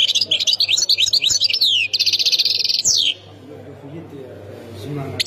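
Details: Goldfinch singing in the Khemis Miliana style, Ain Defla, Algeria: fast chattering run of bright, high twitters, a buzzy trilled stretch and a sweeping note, then near quiet with soft low rumble before a brief restart.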